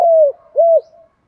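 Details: Spotted dove decoy for trapping, 'giọng thổ pha' call style: a brief fragment of a long sliding coo followed by one arched coo and a soft fading tail.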